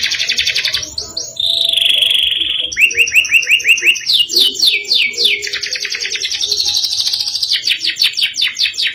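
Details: Caged-type canary in full gacor song, in the ngerol nembak style. It gives a sustained high whistle, then a rapid rolling trill and a string of sharp upslurred notes that shift to buzzy, fast-repeated phrases.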